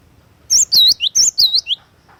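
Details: Cinereous tit singing vigorously, the song used for luring and song-tutoring: a short burst of high whistled notes, paired U-shaped slurs and sharp downslurs, about five quick phrases, then a pause with faint background noise.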